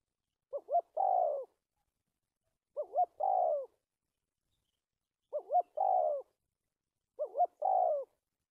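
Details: Spotted dove serving as a trap decoy, dated 1/3/19, repeating a stuttered phrase four times about every two and a half seconds: two quick wavering notes, then a longer falling coo.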